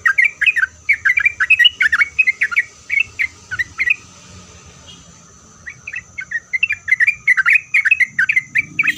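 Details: Vigorous song of a Sooty-headed bulbul, used to draw replies from other bulbuls: fast runs of bright, warbling, slurred whistles, a brief pause near five seconds, then another rapid burst, with a thin steady high tone behind.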